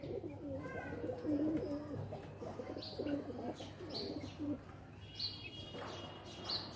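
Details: Pigeons playing inside a loft, giving low, throaty, rolling coos in short bursts, with faint high chirps and rustling in the background.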